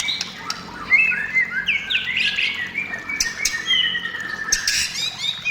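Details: Singing white-rumped shama, played to lure other shamas into song; rich whistles mixed with harsher squawky notes and a few sharp ticks.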